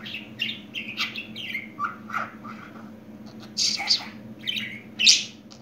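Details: Budgerigar described as newly talking mutters in quick squeaky, slurred syllables, rising and falling, broken by a few loud shrill chirps near the end; a low electrical hum runs underneath.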